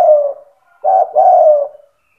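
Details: Spotted dove (tekukur) in gacor cetretan song, used to rouse other doves to call. The tail of a soft descending coo is followed after a pause by a short note and a longer, smooth falling coo.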